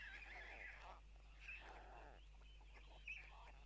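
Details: White stork nest in Tukums, Latvia, early morning of June 12, 2022, when the adults return and spill food for their chicks; three clusters of quavering, whining calls, separated by short pauses, with a low background hum.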